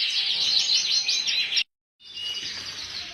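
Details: Full frill canary singing: dense, rapid warbled phrases of fast repeated notes and trills, high-pitched, pausing briefly midway before a continuous rolling trill resumes.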